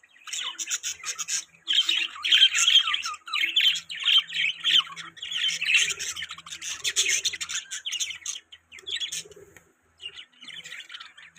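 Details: Budgies chattering in quick bursts of scratchy, squawking warble, loud phrases of about a second separated by short gaps, softer chirps trailing off toward the end.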